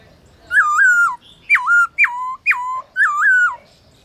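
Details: Black-throated laughingthrush in training, singing at midday: a run of five rich whistled notes, each jumping up then sliding down in steps, delivered in quick succession in a quiet indoor setting.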